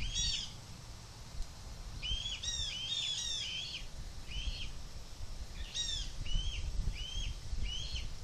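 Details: A young red-tailed hawk begs loudly from a nest area as its mother makes flybys, 2 July 2023: clusters of short, arched, squealing notes, some overlapping in rapid bursts, then evenly spaced screams, over faint low rumble.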